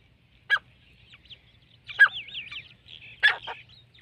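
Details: Partridge calling: three separate loud, harsh bursts about 1.4 seconds apart, one with a rapid wavering trill, and soft chirps between them over a low hum.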